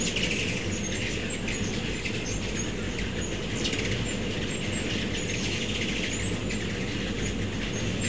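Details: Backyard in Starkville, Mississippi, mid-September 2012: migrating ruby-throated hummingbirds, mostly young birds, at feeders give brief, sharp, very high chips, irregular and frequent, over a continuous low drone and hiss.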